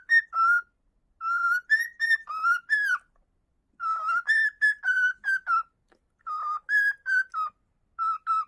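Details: Loud whistling from a pet cockatiel indoors, phrases of pure, steady whistled notes that step up and down in pitch, grouped in runs separated by brief silences.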